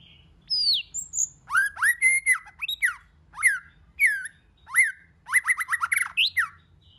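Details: Varied White-rumped shama song meant to fire up other shamas: a falling high whistle, then repeated rising whistled phrases and fast chattering note runs in bursts.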